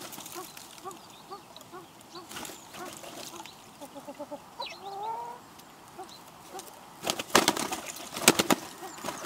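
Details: Courting wild pheasants at a garden feeder in Recke, Germany, in March mating season; quiet repeated clucking notes, a brief rising two-part call near the middle, then harsh broadband bursts like wing flapping toward the end.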